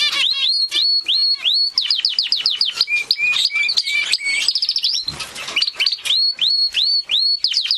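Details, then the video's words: Gloster canary in continuous song: rapid rising chirps repeated nearly three times a second, a short low trilled series, then a brief rustle before chirps resume. "آواز خواندن قناری گلاستر"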